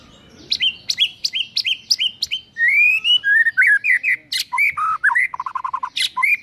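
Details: White-rumped shama morning lure song rich in mimicry: sharp clicking notes, then flowing whistled phrases and a quick stuttering series of low repeated notes.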